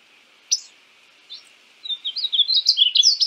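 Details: {'text': 'Painted bunting (Passerina ciris) singing: a single high sharp note, a brief second note, then a quick, bright, tumbling warble of high twittering notes.'}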